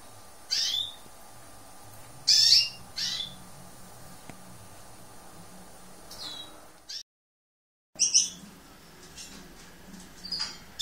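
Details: Lesser goldfinch of the subspecies hesperophila: short, high, sharp chirps come singly, spaced a second or more apart, with a brief silent break midway and a faint low background hum.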